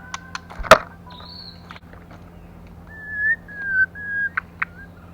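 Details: Female white-rumped shama song meant to stimulate males: a sharp click and a high held whistle, then a series of softer, level whistled notes rising slightly in loudness, with faint clicks between.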